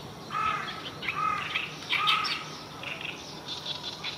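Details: An Oriental reed warbler sings loud, harsh, grating phrases of chattering notes in rapid bursts about once a second, faint background hiss; recorded 9 June 2023 around 09:30 in the morning.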